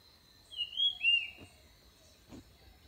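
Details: Orange-headed thrush, known locally as nok krong din, used to draw birds in; one short clear whistled phrase with two slurred notes gliding downward, a faint constant high tone behind, and soft knocks later.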